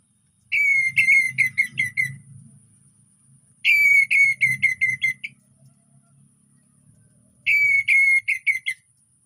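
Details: Orange-headed thrush singing as a lure for birds that have stopped singing: three loud phrases of rapid, ringing whistled notes, each phrase about a second and a half long and starting on a strong note, with a steady low hum behind.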